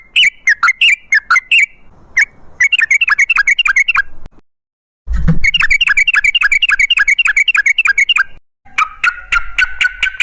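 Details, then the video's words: Wild sooty-headed bulbul in lively, long rapid-trill song, used as a lure to prompt other bulbuls to sing: fast runs of sharp repeated notes, several per second, broken by abrupt pauses and cuts, ending with a steadier whistled note. "Suara trucukan gacor ropel ngalas"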